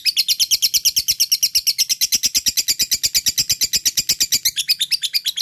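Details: Ngekek song from a fighter lovebird, played to coax quiet lovebirds to answer: dense, high, rattling chatter of quick evenly spaced notes throughout.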